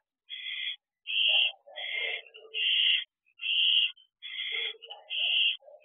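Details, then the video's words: Barn owls at a nest box at night, 10:20 pm on 6/2/23, during a quick food delivery; harsh raspy hisses and screeches in repeated bursts about half a second long, with softer lower chattering between bursts. "Another Quick Food Delivery. Owl Box OSC - 6/2/23 - 10:20 pm"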